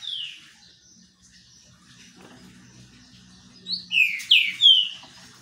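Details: Green-winged saltator singing while sunbathing: after a quiet stretch, a burst of three or four loud, slurred whistles falling from high to mid pitch closes the passage over a faint low hum.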